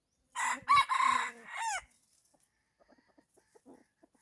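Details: Red junglefowl crowing while a decoy lures wild junglefowl: one strained crow of several harsh segments ending in a falling tail, followed by soft scattered clucking notes.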